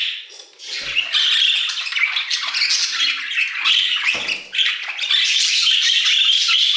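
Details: Budgerigars warbling in an aviary, a thick overlapping stream of scratchy chirps and squeaks that dips briefly twice, with soft low knocks, then swells back into steady chatter.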